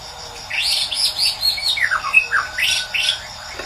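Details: White-rumped shama morning song, used as a lure to get a silent bird singing: rapid varied whistled and slurred notes over a steady background hiss.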